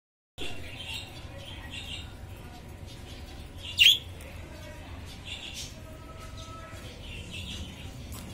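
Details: Lutino budgerigars chatter softly in the background, broken by one sharp, high chirp midway.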